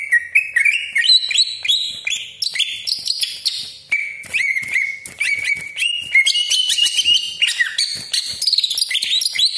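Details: Greater green leafbird delivering a continuous 'roll panjang' of loud whistled notes that climb in steps, dip, and climb again, full of sharp clicks between phrases, a song meant to provoke rival leafbirds.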